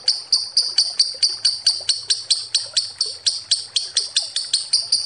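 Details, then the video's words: Lovebird giving a long ngekek chatter used as a lure, with harsh, sharp high notes repeated steadily about four times a second without a break. "Suara Lovebird ngekek panjang pancingan ampuh"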